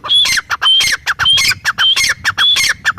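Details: Grey francolin calling, loud harsh repeated phrases, each starting with a high thin whistle followed by a run of rasping, squawking notes, roughly two phrases per second.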